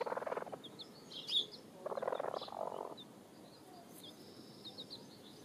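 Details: Hens and chicks dust-bathing; low raspy hen clucks in two bursts while chicks give thin, high, short cheeping peeps throughout.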